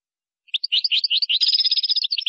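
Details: European goldfinch in Moroccan song style, with gazarat and srrr bertbertio elements, launching after a short silence into quick, varied twitters. These build into a continuous tinkling, buzzy warble that runs to the end.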